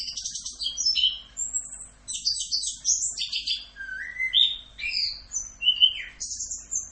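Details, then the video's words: Orange-headed thrush tutor song for training songbirds, full 'Rock'n Roll' style: quick trilled bursts followed by clear whistles sliding downward, phrases varying constantly, about forty notes a minute, clean background. "MASTERAN ANIS KEMBANG FULL Rock'n Roll"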